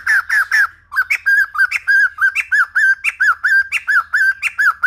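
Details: Old-forest style White-crested laughingthrush song used for voice training of young birds: three rich harmonic notes open a long, steady series of arched whistles, some with a higher upward flick, repeated several times a second.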